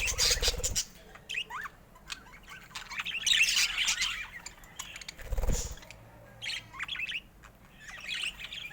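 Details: Colourful pet budgies give scattered short upslurred chirps and brief warbled phrases between quieter gaps, alongside a couple of low knocking sounds.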